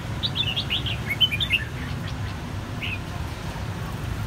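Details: A red-whiskered bulbul, one of three same-brood birds whose white cheeks turned red in one season, gives a quick burst of bright, chirpy, bell-like whistled notes in the first second and a half, then one more note later, over a low rumbling hum.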